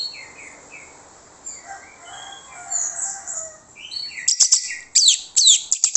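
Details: Orange-headed thrush singing as a lure to make other birds answer: faint scattered whistles at first, building into loud, sharp, rapidly repeated high chips and sweeps toward the end.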